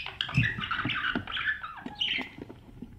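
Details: Budgerigar chicks inside a nest box with breeding parents, recorded by a camera inside the box during feeding: a soft run of warbling, chattering chirps with faint low knocks and scuffling underneath.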